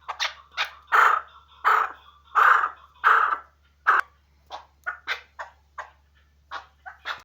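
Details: Chukar partridge kept for hunting, first giving loud, hoarse, ringing chuck notes about once a second, then softer, shorter clucks spaced more irregularly.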